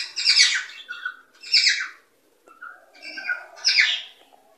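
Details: Cockatiel song for stimulating breeding; loud raspy squawks roughly every one to one and a half seconds, separated by short level whistles, in a quiet indoor setting.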